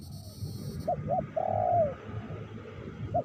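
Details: Rain falling during spotted dove lure trapping in Meratus; the dove utters two brief clipped coos followed by one long smooth coo that sags downward at the finish, then another short coo, with low background rumble.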